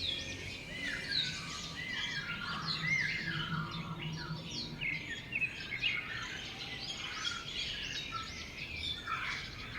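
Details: Wild birds singing outdoors in nature in Thailand, a busy chorus of many overlapping high chirps and short whistled phrases over a steady background hiss.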